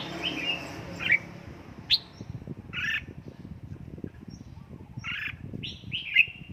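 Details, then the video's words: Caged red-whiskered bulbul being trained at home toward 'căng lửa' fired-up singing gives scattered short whistled and slurred notes, spaced about a second apart, over steady low household noise. "Cách luyện chào mào căng lửa"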